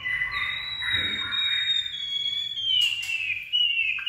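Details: White-rumped shama with a steely-toned voice: one long clear whistle drawn out high, slowly sliding downward over about three seconds, with a short sharp burst near the end and a lower note closing it.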